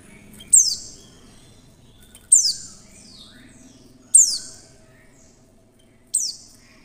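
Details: Female white-eye call, used to lure other white-eyes into singing: four sharp, very high notes sliding steeply downward, spaced about every two seconds, over a faint low hum.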